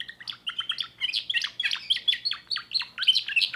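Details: A young timbrado canary, a 2024 bird, sings fast chirping phrases, repeated notes dropping steeply from high to low, linked by brief ringing whistles in a steady rhythmic stream.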